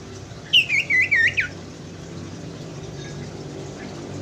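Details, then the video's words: Lure recording of a common iora for a caged bird that will not sing: four clear whistled notes, each wavering down then up, closing with a falling slur, followed by quiet background hiss. "pancingan sirtu macet bunyi & malas bunyi"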